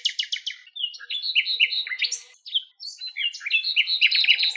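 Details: Singing common nightingale in Greek nature: opening rapid repeated notes about four per second, followed by varied whistled and chattering phrases with short pauses, ending in another fast repeated series.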